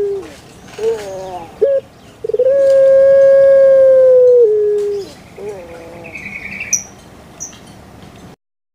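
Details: A pet puter pelung dove gives wavering short notes and a clipped note, then a prolonged steady hollow coo of about two seconds that drops in pitch at its close, followed by softer trailing notes and faint background chirps.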